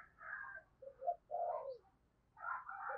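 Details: Decoy spotted dove calling wild doves in thúc and gáy style, soft overlapping coo notes with a rougher, higher-pitched burst at the start and end over a faint background hiss.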